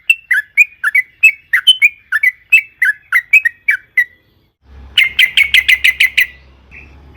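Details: Sooty-headed bulbul in its excited long rolling song, used to provoke other bulbuls to sing: a quick run of paired slurred notes, a brief pause, then a harsher rapid trill of sharp notes and a low hum.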